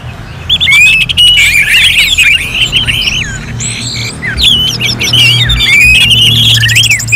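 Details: Orange-headed thrush singing as in a bird-contest simulation, North Bali: long clear wavering whistles mixed with rapid chips and buzzy notes, phrases running together almost continuously over faint low hum.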